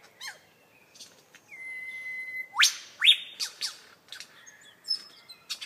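A lyrebird runs through a varied medley: a long steady whistle, sharp upward-sweeping zaps and quick clicking bursts, all bright and high-pitched with quiet pauses between.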